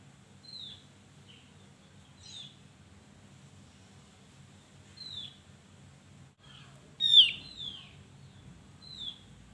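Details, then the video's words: Javan grey-throated white-eye in active song, kept as a lure for birds slow to sing: scattered high, sharp down-slurred whistles repeated every few seconds, one louder steep chirp followed by a quick slurred note, over low rumbling background. "Opior Jawa gacor untuk pancingan burung yang Malas Bunyi"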